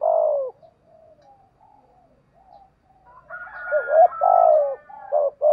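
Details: Spotted dove calling to draw in wild doves, with loud, mellow, low cooing: one drawn-out note, a pause holding only faint murmurs, then a rapid run of throaty two-part coos with brief breaks between them.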